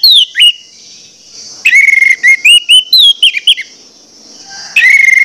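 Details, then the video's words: Orange-headed thrush singing a clear, insistent lure song to trigger other orange-headed thrushes: descending whistles, then a burst of short rising slurred notes and trills, over a constant high hissing background. "pancingan anis merah plong ngotot membangkitkan gairah anis merah lain untuk bunyi"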